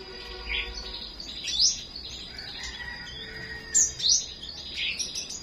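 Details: Morning song of a small songbird: scattered high, sharp upslurred chirps in pairs with short buzzy notes between, set against a constant thin whine and low background murmur.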